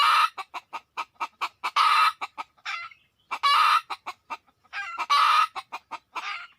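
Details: Wild red junglefowl coming in quickly: rows of short sharp clucks building into loud rasping crow-like bursts, three main bursts with clucking between.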